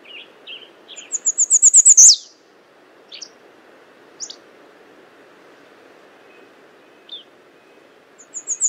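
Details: American redstart: a run of thin, very high notes quickening into a sharp downslurred ending about two seconds in, followed by scattered faint chips and a fresh high series starting near the end.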